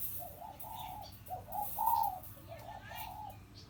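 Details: A decoy zebra dove, crossbred and four years old, giving a few phrases of mellow, rolling coos separated by short gaps, over a quiet hiss.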